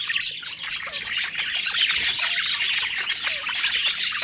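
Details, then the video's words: Budgerigars eating and singing happily, with overlapping bright tweets, scratchy squeaks and quick warbled phrases forming a constant lively flock chatter. "Happy Singing & Eating Parakeet Budgies Birds"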